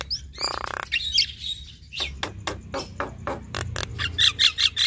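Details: Javan myna pair, male and female, duetting: a rasping buzz opens, then a fast series of sharp clicks and chips at roughly two or three per second, ending in bright high squeaks.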